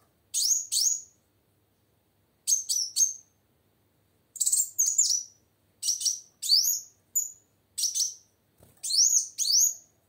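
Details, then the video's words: Female plain sunbird song meant to coax a silent male to sing: short clusters of sharp, very high descending chirps in bursts roughly every one to two seconds, with quiet pauses between. "Suara Kolibri Wulung Betina Gacor Untuk Memancing Bunyi Kowul Jantan Macet"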